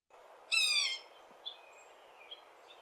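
A Yellow-bellied Sapsucker gives one soft, nasal, slightly descending mew, like a cat meowing, lasting about half a second, followed by faint high bird notes in the background.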